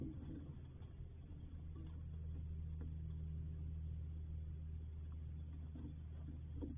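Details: A steady low hum fills the recording, with faint scattered knocks and rustles and a sharp bump at the very end; no animal voice is heard.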